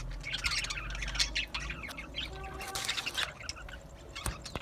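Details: Budgerigars chatter with scratchy squawks and quick warbled chirps in overlapping bursts, plus a sharp click near the end.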